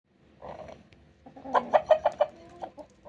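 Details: Domestic rooster making a strange sound while straining, possibly constipated: a low murmur, then a run of loud, harsh, rapid clucking pulses, about five in quick succession, trailing off into softer clucks.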